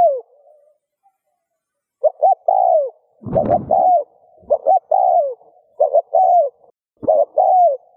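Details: Spotted dove coo used to rouse other doves into cooing. One falling coo opens the clip, then phrases of two quick notes and a long sliding coo repeat. A sharp noisy knock is heard near the middle.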